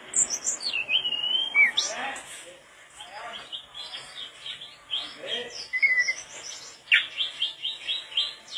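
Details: Mangrove blue flycatcher in steady, persistent song, recorded as a training tape: long sliding whistles, slurred rising and falling phrases with short pauses, ending in a quick run of repeated bright notes.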